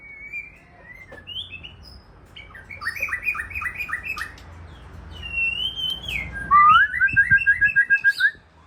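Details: Caged white-rumped shama of the Aceh type: a thin whistled opening, then a burst of quick repeated notes, a long clear whistle, and a rising, bubbling run of rapid notes near the end.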